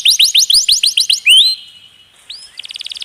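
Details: Canary song for training other birds, marketed with long rolls and an added trickling-water effect: a run of about ten rising whistled notes, a longer held whistle, a brief pause, then a rapid buzzy trill of repeated notes.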